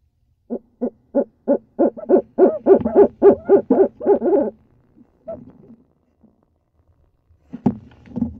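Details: Wild female Barred Owl at a nest box in Eastern Massachusetts in mid-March, calling at night to urge on the male during his visits. A series of about thirteen hoarse hoots, accelerating and growing louder, then brief softer notes.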